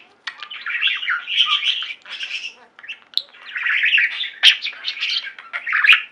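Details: A singing flock of pet budgerigars, raspy warbled chatter in long phrases broken by brief pauses, with sharp clicks and squeaky chirps.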